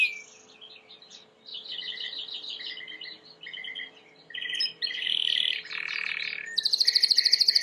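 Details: Timbrado canary training song: varied chattering and buzzy phrases building in loudness, a dense bubbling passage, then a bright, fast, high metallic trill.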